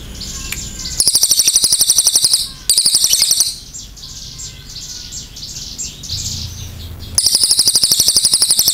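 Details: Cililin in full chatty voice, firing repeated long bursts of fast, high, ringing rattles separated by a soft background chorus of other small birds' chirps.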